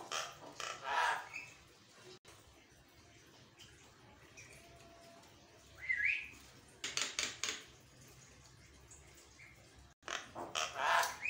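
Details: Javan myna song recorded in the morning, used as a lure to provoke caged mynas into answering and acting aggressive; a few short harsh rasping bursts with a brief rising whistle, separated by quiet gaps.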